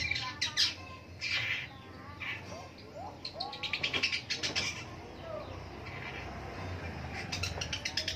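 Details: Long-tailed shrike in the morning giving varied chattering song: harsh bursts, short slurred whistles and quick rattling runs of notes, with steady low background noise.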